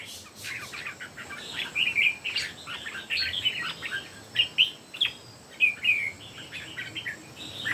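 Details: Three red-whiskered bulbuls singing in competition: short warbled, slurred whistled phrases in quick bursts, several overlapping, with a faint steady high hiss behind.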